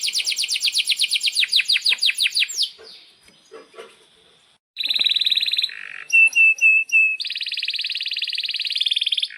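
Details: Canary song for tutoring young canaries and prompting silent birds to sing: fast sweeping chirps, a short quiet gap, then a sharp buzzy burst, clear whistled notes and a long high rolling trill.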